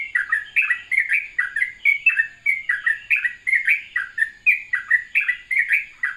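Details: Sooty-headed bulbul in the morning giving a soothing ropelan-style song: an unbroken run of short, bright, bubbly notes, about three per second, each sliding down then up, steady and lively throughout.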